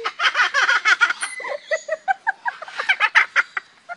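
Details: A zoo cockatoo amusing visitors gives a rapid, rhythmic string of harsh, hiccuping laugh-like notes, about four or five a second, with some rasping squawks mixed in.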